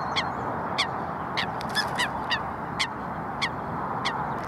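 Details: Coots fighting, giving short, sharp, explosive calls about once every half second to second, each a bright clipped note, over a constant broadband rumble of background noise.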